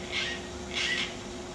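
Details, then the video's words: A Dollarbird, perched quite far away, calls out loudly with two short, harsh, rasping notes about half a second apart, with a faint steady hiss behind. "Dollarbird Calling"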